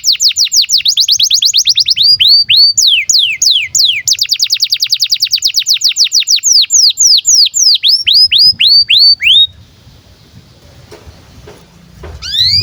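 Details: Canary in breeding condition, used as a model for young birds: long rolling runs of rapid repeated notes alternating with slower downward swoops, ending in quiet background with faint clicks.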